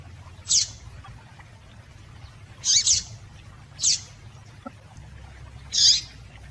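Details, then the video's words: Female double-collared seedeater giving high, clipped calls to stimulate males: five notes including a quick double note, irregularly spaced, with a soft low hum behind. "Melhor Piado de Fêmea de Papa capim Para Esquentar Papa capim"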